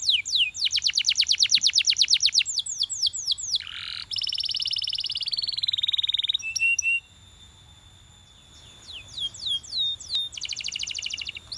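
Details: Belgian canary urging companions into song, delivering rapid rattling trills, a buzzy sustained tour, a brief pause, then more downward-slurred whistles and a closing fast trill.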